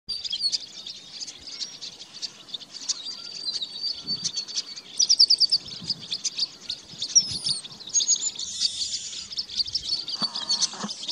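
Chestnut-capped Blackbirds give a dense, high chatter of overlapping chips and thin whistles, with a quick stuttered burst midway, as from a busy flock.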